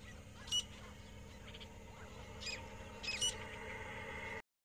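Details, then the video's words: Grey francolin giving a few harsh, grating notes in short bursts over about three seconds, against a steady background hum. "Grey Francolin"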